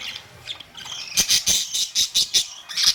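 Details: Pet budgerigars with bright plumage, May 2, 2023; soft chatter then a run of short harsh squawks repeated about five times a second.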